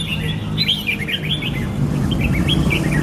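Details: Red-whiskered bulbul giving a quick series of looping, slurred chirp notes, bright and rapid, set against a continuous low rumbling background.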